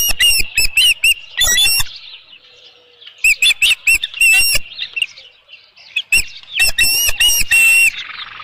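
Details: Osprey on a ranch nest holding a headless fish, 27 June 2018, shortly after noon: loud clusters of shrill repeated chirps, paused by softer chatter, then another long burst of piercing calls.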